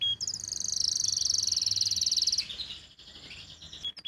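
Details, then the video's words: Post-moult canary, still not singing at full strength, delivering a long, very high, fast rolling trill of evenly pulsed notes for about two seconds, followed by a lower slurred phrase and a few clipped chirps. "suara burung kenari pasca mabung"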